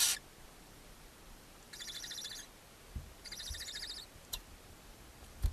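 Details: Barn owls in a nest box beside a chimney in Ságvár, Hungary, on May 4, 2024, with the mother feeding seven owlets. Two soft, buzzy, rapidly pulsed chitters, each under a second long, with a few clicks and knocks.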